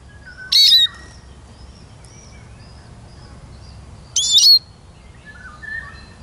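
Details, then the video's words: Eurasian siskin with two high, squeaky notes about three and a half seconds apart, each a short burst with a thin descending whistle. Faint background whistles from other birds are also heard. "Как поет чиж"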